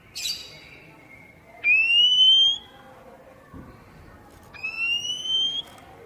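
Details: Oriental magpie-robin song meant to prompt newly caught birds kept at home to sing back: a short scratchy note, then two long rising whistles, the second softer, with a faint thump between them.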